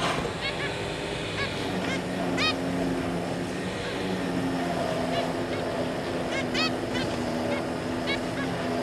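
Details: Zebra finch pair and their three juveniles, 26 May 2022, giving short nasal, trumpet-like call notes scattered throughout, some doubled or tripled in quick succession, over a constant low mechanical hum and background noise.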